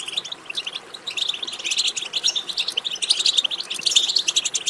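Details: European goldfinch twittering chatter, locally called betbeta, used to stimulate goldfinches to sing; dense, continuous run of bright liquid chirps and trills, high-pitched and overlapping, rising in intensity toward the end.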